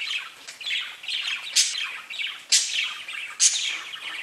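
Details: Pet budgies chirping in lively, uneven warbling chatter, broken by three sharp, loud squawks about a second apart.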